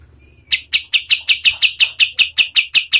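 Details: White-shouldered triller song, a local recording used for training contest birds: silence, then a rapid series of harsh, buzzy chattering notes repeated about three times per second, steady and loud, with faint low hum beneath.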